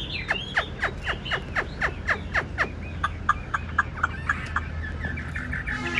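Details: Large caged Chinese hwamei of the ngũ trường type singing with nodding lion-dance display; a series of sharp downward-sweeping whistles repeated about four per second, followed by softer short notes and faint background hum.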